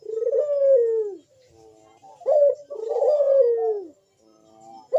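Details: Spotted dove in a loud 'bekur' manggung-style calling bout, used as a lure to set other doves calling: low, drawn-out coos that sag in pitch, two long phrases separated by short softer notes and a near-silent gap.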